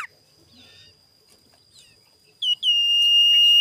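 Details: Sirtu singing in the morning as a lure to provoke rival birds. A quiet stretch with faint chirps gives way to a short note and then a loud, steady, pure whistle held for about a second.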